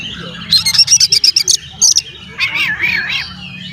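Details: Oriental magpie-robin song used as a lure to provoke other magpie-robins into excitement and tail-spreading: a fast run of sharp, high chirped notes, a brief pause, then a lower, slurred, warbling whistle with rising and falling turns.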